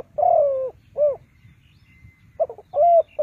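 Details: Spotted dove working as a trap decoy gives a long falling coo and a short coo, pauses, then resumes with quick coos, over a steady low rumble and a thin faint whistle.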